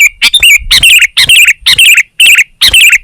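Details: Sooty-headed bulbul singing gacor: a clear, bubbly, fluty phrase with wavering notes, repeated about twice a second, loud and clean.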